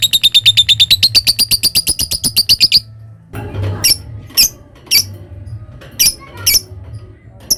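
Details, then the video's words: Lovebird ngekek: a quick run of high chattering notes, about eight per second, for nearly three seconds, then a pause followed by scattered single sharp chirps amid low background hum. "Suara Love bird Bikin Emosi Lawan ngetik lanjut ngekek"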